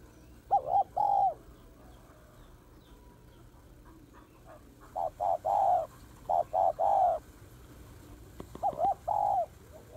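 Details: Female spotted dove calling to excite males, a style known as kích bổi: groups of loud cooing notes, each a short wavering note followed by a longer one, repeated in bursts across the recording with quiet gaps between.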